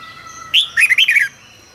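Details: A red-whiskered bulbul sings a brief, loud morning phrase for song training: an upward-flicking note followed by a quick run of liquid, warbled notes lasting under a second.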